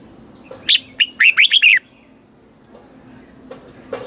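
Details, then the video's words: Southern master-style song of a caged Thai red-whiskered bulbul, played to excite and train birds: one rapid phrase of about six bright, slurred whistles lasting a second, followed by near silence. "เสียงนกกรงหัวจุก สำหรับต่อ หรือ เปิดให้นกคึก"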